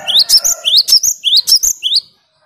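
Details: Cinereous tit (gelatik batu or wingko) singing clearly and persistently, meant to provoke rival birds: a rapid string of short, rising whistled notes, each capped by a sharp high chip, repeated for about two seconds and then stopping.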